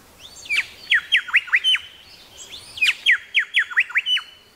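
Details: Two matching ringing phrases from a grey shrike-thrush in Tasmania, each a rising slur then five or six fast notes plunging down from a steady high tone, about two seconds apart.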